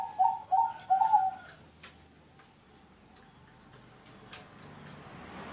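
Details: Noklak nekung song of a zebra dove: three quick soft coos in the first second, with a final coo slightly longer, then near quiet with faint clicks.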